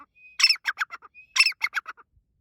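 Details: Grey francolin (teetar) calling in breeding season: two loud, harsh phrases about a second apart, each opening with a thin steady whistle, then a raspy burst and a quick run of four or five fading notes.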